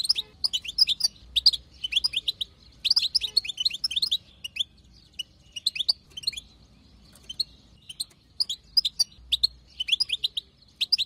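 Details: European goldfinch female chatter meant to prompt a male to sing: clustered bursts of high, quick, upslurred twitters separated by short quiet spells.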